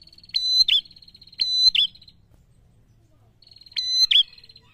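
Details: Prinia singing a prolonged ngalun-style song meant to provoke rival birds: a long, even, high trilled note with harmonics, ending in a sharp downward flick, given three times with a long pause before the last.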